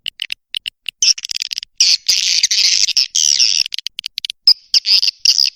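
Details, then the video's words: Swiftlet calling sound: bursts of dense, buzzy, high chattering twitters separated by short silences, with brief clicks between the louder phrases. "Suara panggil sembilan belas detik"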